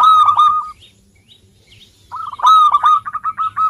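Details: Local Indonesian zebra dove in full voice, used to coax reluctant birds into singing: two loud bursts of rapid, rolling coo notes, clipped and repeated, separated by a quiet gap with faint softer notes.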